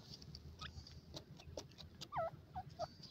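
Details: Young partridges racing in a forest in Iran: after a second of faint clicks and rustles, three clear descending peeps follow close together, the first one loudest, over low background hum.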